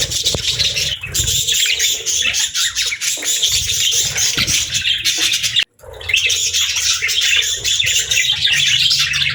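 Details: Budgerigar chirping: a dense, continuous wall of rapid, scratchy warbles and squawky notes, cut by one very brief silence.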